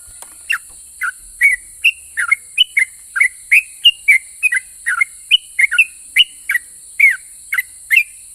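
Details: Yellow-vented bulbul pouring out an active, extended ropel pajang song said to make other bulbuls answer: a fast unbroken chain of some twenty-five liquid whistles shifting up and down in pitch, accompanied by steady high hiss.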